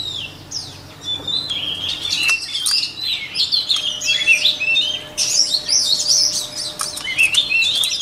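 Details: Song of the white-rumped shama used for voice training: bursts of loud, varied whistled and chattering phrases, some sweeping up and down, broken by short pauses and ending in dense rapid warbling.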